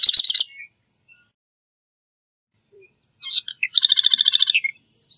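Marsh wren song: a short burst of rapid, buzzy, rattling notes, then a gap, then a longer mechanical rattle introduced by a few sharp chips, all high-pitched.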